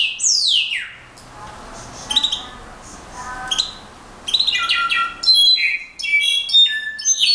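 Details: Song of a brown-backed solitaire (clarín): it opens with a long falling whistled glide, then brief high ringing notes, and ends with a burst of rapid, metallic, tinkling phrases jumping between pitches, separated by short quiet gaps.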